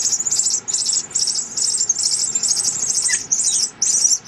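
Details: Pearly-eyed thrasher chicks, three in the nest, begging as the mother feeds them: loud, hissy, high-pitched bursts repeated almost continuously, each lasting about half a second, with short gaps between them.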